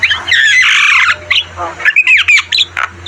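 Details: Energetic song of a Javan myna (jalak kebo), recorded to train caged birds: a long grating, buzzy phrase followed by clipped whistled squawks and short bent notes, with a faint low drone throughout.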